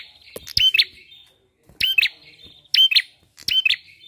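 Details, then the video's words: Bar-winged prinia singing in a lure recording meant to set other birds singing: four bursts of bright, snapping chirps, each a quick pair of notes, spaced about a second apart. "PANCINGAN PRENJAK KLAWU GACOR!"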